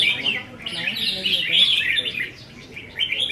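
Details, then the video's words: Brief moment from a caged red-whiskered bulbul song contest practice, 15 May 2021: quick, sweet chirped phrases run together, drop off, then return as a short final burst. "Chào Mào Đấu Giàn | Dợt Chim Chào Mào Đấu Hót"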